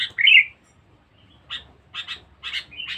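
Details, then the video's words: Fierce, much-singing sooty-headed bulbul used for luring: a loud bubbly whistled phrase opens, followed after a pause by paired harsh chattering notes and a short whistle. "pikat kutilang bagus"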